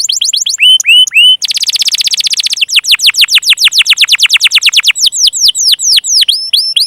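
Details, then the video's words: Lure song of a canary for getting silent and juvenile canaries singing: paired curved whistled notes, a rapid buzzy rattle, then a run of fast descending slurred notes repeated several times a second, ending in looping chirps. "burung kenari pancingan paud dan yg macet"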